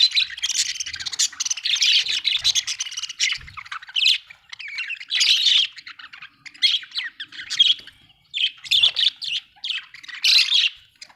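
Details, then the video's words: Happy budgie chirping in long, dense bouts of high, buzzy, squawky warbles and quick tweets, separated by brief pauses, with a few faint low taps. "happy budgie chirping sound"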